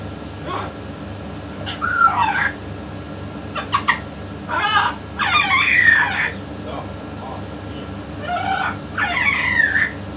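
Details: Scattered speech-like harmonic phrases from a talking yellow-naped amazon with a parrot expert, mixed with a few sharp clicks and short noises, the longest phrases near the middle and end.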